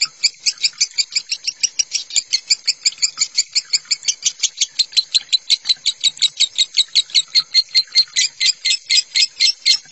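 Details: Lovebird singing in the minor and konslet styles, recorded as a masteran tutor track for other lovebirds: a fast, unbroken string of shrill, high chirps, about four per second, steady and loud for the whole stretch.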